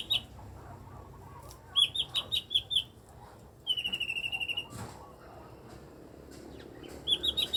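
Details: Eight-year-old caged blue-winged leafbird (cucak ijo mini) making strange sounds: quick bursts of five or six sharp chirps, then a fast buzzy rattle.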